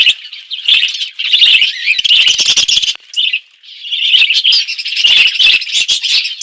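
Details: A flock of budgerigars in a forested outdoor aviary, eating seeds, keeps up loud bubbling chirps and warbles, with a brief lull near the three-second mark before the chatter resumes.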